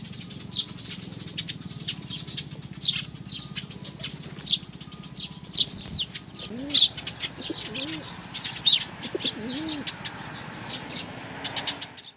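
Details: Sparrows at a Tenmangu shrine on 2 May 2019, giving many short sharp chirps in an irregular, overlapping chorus, with soft low pigeon coos and occasional wing flaps mixed in.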